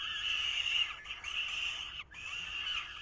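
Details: Nest of falcon chicks in 2023 with the male delivering food: a steady, hoarse screeching, briefly interrupted once near the end.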